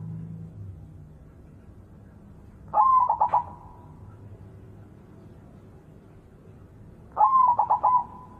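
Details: Morning song of a white zebra dove: two identical phrases roughly four seconds apart, each a sliding first coo then several quick stuttering notes ending in a held tail, over faint background hum.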